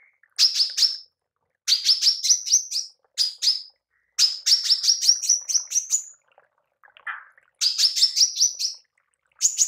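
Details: Repeated short bursts from a female manggar, each a quick cluster of five or six high, buzzy notes that rise slightly, with brief silences between and one lower rasping note.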